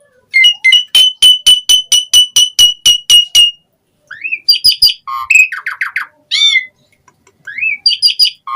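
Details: Asian pied starling in 'gacor full isian' song: a long train of evenly spaced clicking notes over a steady whistled tone for about three seconds, followed by rising whistles, buzzy chatter and scratchy squeaks.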